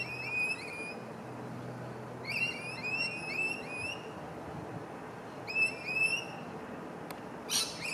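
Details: A pair of rainbow lorikeets being affectionate in a palm tree give bursts of high, shrill chirping notes in quick runs, each about a second long, with pauses between, over a low background rumble.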